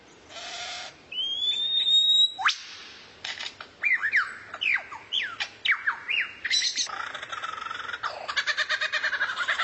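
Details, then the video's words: Tutor song of a rare bird for teaching kacer: harsh rasping notes and a long thin whistle, a sharp upsweep, then rapid falling whistled notes giving way to fast stuttering chatter. "MASTERAN BURUNG LANGKA YANG BISA JADI SENJATA PAMUNGKAS BURUNG KACER"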